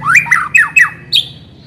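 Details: White-rumped shama in a lure recording for caged shamas: four quick harsh downslurred squawks followed by one higher drawn-out note, low hum behind.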